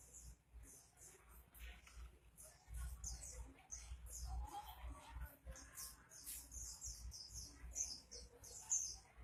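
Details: Oriental white-eye (pleci) singing vigorously, described as gacor: rapid series of high, thin chirps and twitters, closely repeated, over a low background rumble.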